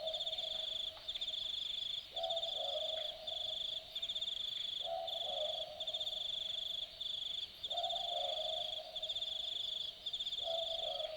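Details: Nocturnal Australian boobook in Australian forest at Dharug, calling boo-book steadily: four two-note hoots at regular intervals near three seconds, second note lower, against bright pulsing insect trills.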